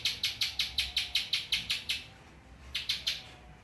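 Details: Spiderhunter singing ciblek (prinia) phrases: a run of about ten sharp high ticks, a pause of under a second, then three more notes.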